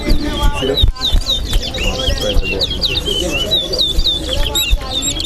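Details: Towa towa (chestnut-bellied seed finch) singing during an east side versus west side bird competition in Guyana; rapid run of high whistled, slurred notes repeated steadily, under loud low music and people talking.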